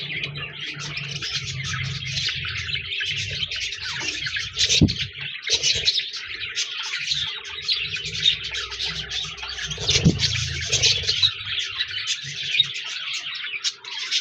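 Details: Budgerigars chatter nonstop in a busy, buzzy stream of high chirps and warbled notes, with a low hum underneath and two brief louder bursts of noise.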